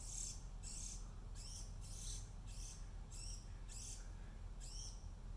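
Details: On 3 August 2019, a juvenile brown-headed cowbird begs from its Oregon dark-eyed junco host parent with about eight harsh, high, hissy notes, roughly one every two-thirds of a second, over a steady low rumble.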